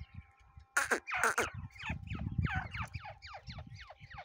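Grey partridge: two loud, harsh grating notes, then about ten quicker, falling creaky notes that fade away. A low rumble runs underneath.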